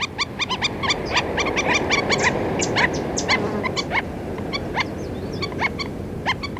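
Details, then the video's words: Black-necked stilts calling from a feeding flock, recorded close up: a busy stream of short sharp yelping notes, overlapping and irregular, roughly two per second, over a steady low background rumble. "Black Necked Stilt / Black-Necked Stilt. Calls CU From A Feeding Flock."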